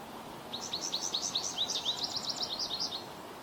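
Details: American goldfinch in Ontario giving a rapid run of high, thin twittering notes for about two and a half seconds, over a faint steady background hiss.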